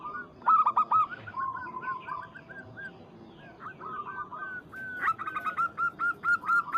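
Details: Local zebra dove calling a rival: bursts of short cooing notes with a quieter, rolling middle stretch, then a final fast, regular series of clipped coos.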